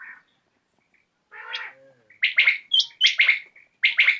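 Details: Common quail recorded in the evening, a few soft lower notes followed by sharp three-note phrases of clipped high calls, repeated roughly every half second.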